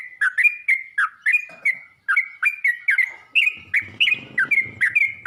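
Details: A yellow-vented bulbul calling to other bulbuls gives evenly spaced, bubbly chirps with a brief pause near two seconds, and a low rumbling noise underneath toward the end.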